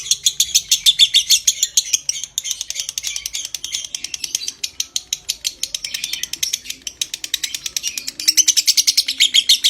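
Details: Lovebird giving a long 'konslet ngekek' trill, used to stimulate breeding condition: a fast, unbroken chatter of high, buzzy chirps repeated many times a second with slight rises and falls in loudness, and no other clear sounds.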